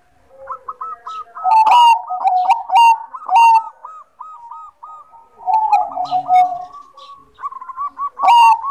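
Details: Zebra dove of the Bangkok type singing energetically: rolling, trilled coos around the same pitch, repeated in bouts, with sharp higher chirps from other birds between phrases.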